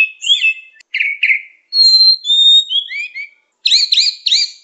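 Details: White-rumped shama training song for young wild birds: clear, varied whistles, some held and level and others sliding. It closes with three quick, ringing, looped notes. The background is clean.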